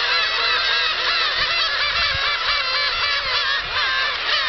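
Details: Flock of black-tailed gulls lifting off together at Kabushima on 13 March 2016, producing a thick wall of overlapping nasal mewing and yelping calls throughout, many birds crying simultaneously without break.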